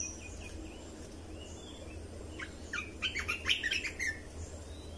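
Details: Red-whiskered bulbul song played to train young birds and make birds lively: after a hushed start with steady background hiss, a rapid run of bright chirping, warbling notes fills the second half.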